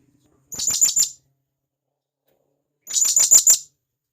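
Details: Calling to companions, a wild blue-crowned hanging parrot from the forest gives two clusters of four or five shrill, very high chipping notes, fast and slightly buzzy, separated by a two-second silence.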